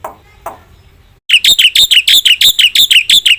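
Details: Black-winged myna in vigorous full song: after a couple of soft faint notes, a loud steady series of about eleven sharp whistled notes, each dropping in pitch, repeated several times a second.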